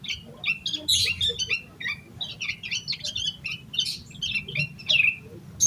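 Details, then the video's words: Yellow-vented bulbul in full, agitated song meant to prompt other bulbuls to start singing: quick, continuous chattering of bright, clipped high notes in clusters, with a few downslurred whistles near the end, against faint low background hum. "Suara Burung Trucukan Gacor EMOSI KOSLET Full Isian Buat Pancingan Burung Trucuk Agar Cepat GACOR"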